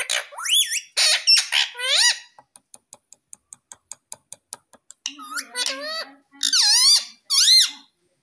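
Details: Indian ringneck parakeet, a talking parrot, in a clip with loud harmonic squawks and speech-like phrases, a fast run of regular clicks in the middle, and a person's voice heard low underneath.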